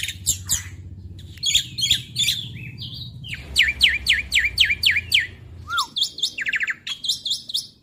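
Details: Young black-winged starling (jalak putih) of Indonesia in full gacor nembak song, used as a lure for silent birds: bursts of sharp chirps, then a run of quick rising-falling whistled notes and a short downslur, over a low steady hum.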